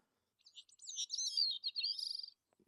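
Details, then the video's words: Bicknell's thrush song, played back in spring in Maine's Baxter State Park, is thin, very high and wiry, with quick tumbling notes that spiral for about two seconds, likened to popping guitar strings. A faint low knock follows. "But I do want to play for anybody who wants to hear what Bicknell's sounds like so that we're prepared."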